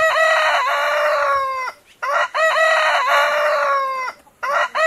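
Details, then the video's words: A rooster crows twice, each a loud, harmonic cock-a-doodle-doo about 1.7 seconds long, with the second crow beginning to repeat at the end. "Tiếng gà gáy"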